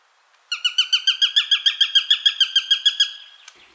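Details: A Eurasian Sparrowhawk in the Nordic region gives its rapid, high, harsh, scream-like series of about fifteen notes, roughly five a second, trailing off at the end.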